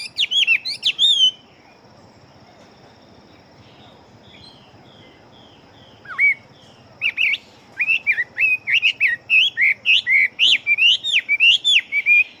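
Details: Chinese hwamei, a big-bodied fighting bird, singing very rapidly: loud bursts of sweeping whistled notes, a short pause with faint quieter phrases, then a fast run of rising and falling whistles repeated about every half second to the end.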